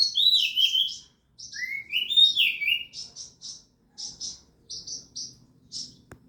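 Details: Oriental magpie-robin groomed for a singing contest, delivering rich looping whistles that slide up and down, followed by evenly spaced high, buzzy chirp notes in short pairs, and a single sharp click at the close.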